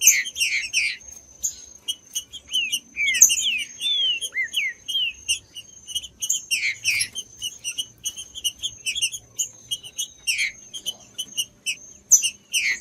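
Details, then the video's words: Green-winged saltator singing, a stimulating recording meant to warm up a cold bird for tournament breeders; clusters of falling whistled notes around the fourth second and near the tenth, over dense high chirping and a faint constant whine. "ESQUENTAR TRINCA FERRO frio TRINCA FERRO CANTANDO"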